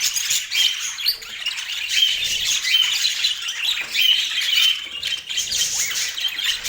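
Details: Budgerigars in Portland produce steady high chirping with short clear whistled notes popping out of the scratchy, nonstop flock chatter.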